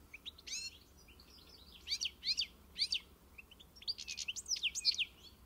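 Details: European goldfinch in encarte song: sharp, sweeping high chirps come in bursts with brief pauses, then a rapid run of tinkling, trilled notes toward the end. The background holds only a quiet low hum.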